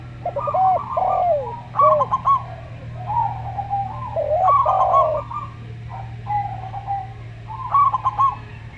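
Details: Calm-voiced local zebra dove with a Javan derkuku: arched coos and falling slurs open, followed by rapid stuttering coo bursts spaced a few seconds apart and quieter wavering phrases, over a steady low hum.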